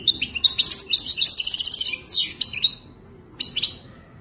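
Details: European goldfinch singing a wild-type phrase: fast chattering trill with high whistled slurs, a pause, then two short twittered notes.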